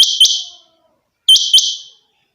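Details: Two quick, high double calls from a captive rain quail (chinga batair), each a sharp ringing pair of notes about a second apart.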